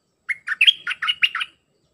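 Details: Dense 'sap dok' song of a red-whiskered bulbul, played for training hand-fed young birds: a rapid run of seven clear, liquid whistled notes rising and falling, with a sustained high note linking the middle of the phrase.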